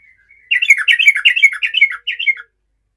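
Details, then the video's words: Yellow-vented bulbul singing to challenge rivals, a lure meant to prompt other bulbuls to answer: after a faint opening note, a two-second burst of bubbly, chattering warbled notes rising and falling, then a short closing phrase. "TRUCUKAN GACOR MENANTANG MUSUH"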